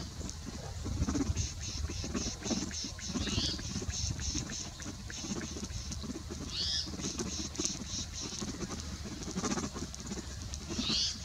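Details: Spotted towhee recorded 20 November 2019 at Prince Edward Point National Wildlife Area, Ontario. Three short, buzzy, slurred mews come about three seconds apart, against a background of low rumbling and soft rustling.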